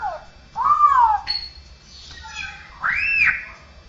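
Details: Straw-headed bulbul, cucakrowo, copying cats, humans and other birds: two long arched whining notes, cat-like, with a faint warble between.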